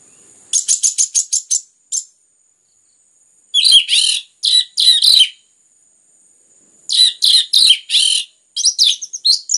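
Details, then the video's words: Orange-headed thrush singing densely, intended to stimulate other birds to sing: fast series of sharp high notes in bursts of four to eight, separated by short pauses, with loud buzzy chattering phrases in between. "PANCINGAN anis merah ngeplong gacor rapat cocok untuk MERANGSANG bunyi tambah GACOR"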